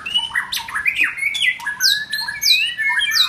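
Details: White-rumped shama singing during form building, a rich run of whistled phrases sweeping between low and high notes, with sharp rising and falling slurs and a few high thin notes, continuous through the clip.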